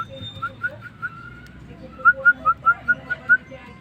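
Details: Starling (jalak) in full song as tutor material: a few spaced whistles, then a brisk series of seven bright, upslurred whistled notes at a steady pitch, with faint low rumble behind.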